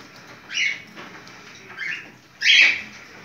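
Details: Cockatiel in breeding condition, calling in mating mood: three separate shrill, slightly rasping chirps spaced about a second apart, the last one loudest, over faint room hiss.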